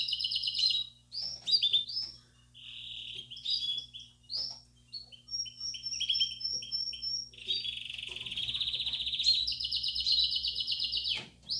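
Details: Belgian canary song meant to stimulate young birds, the bell style: varied high phrases, chirps and rapid trills, with a long buzzing rolled trill near the end and short gaps between phrases.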